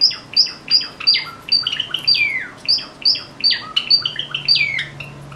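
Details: A Java sparrow in the morning chatters a busy run of high clicks, bell-like notes and downslurred whistles, about two per second, with a faint low hum indoors; song.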